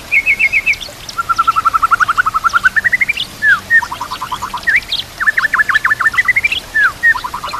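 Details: White-rumped shama song for training other birds, with nature sounds and trickling water: short high trill, then a long rapid series of even notes rising steadily, followed by varied downslurs and repeated stacked whistles.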